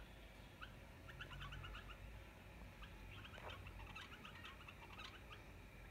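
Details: A wild pair of bulbuls gives quick bursts of short, chattering, mid- to high-pitched notes clustered through the clip over a steady low rumble of wind or background noise.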